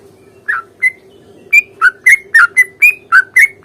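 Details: Sooty-headed bulbul fighting song used to provoke a reply, long rolling phrases: short bright whistled notes near one pitch, falling and rising slightly, repeated about every quarter second in quick bursts, with a steady low hum underneath.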